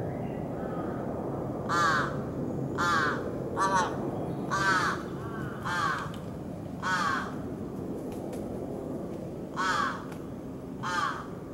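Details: Large-billed crow parent and young, recorded 26 July 2018 while the parent groomed the chick; hoarse harsh caws, single and in short pairs, spaced irregularly about every second or two, over steady low background rumble.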